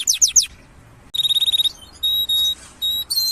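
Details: Canary song with a burst of three quick downward notes, a pause, then a rapid trill of short pure notes followed by long steady whistled tones, clean and high-pitched.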